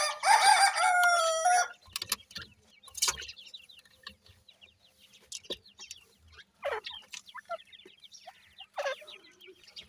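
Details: Grey francolin chicks in care: the clip opens with a loud, strained, harmonic call lasting under two seconds, then a busy stream of quick, thin, falling peeps from many chicks, about three per second.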